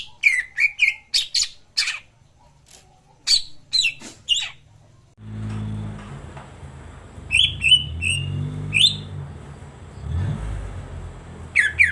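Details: Cucak ijo song played to stimulate a silent cucak ijo to sing: bright whistled and chirped notes in quick bursts, then a pause with low rumbling noise, followed by more whistled phrases.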